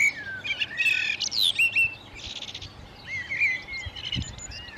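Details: Common redstart in May–June 2018, singing to guard its nesting territory while feeding young with insects: a whistled opening note, then quick scratchy twitters and sliding whistles, a pause, and another softer twittering phrase.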